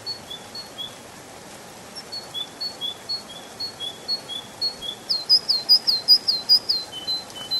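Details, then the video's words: Spring forest canary: soft, evenly spaced whistled notes lead into a loud, rapid trill of sharp repeated chirps. "Пение канарейки, канарейка поет в весеннем лесу"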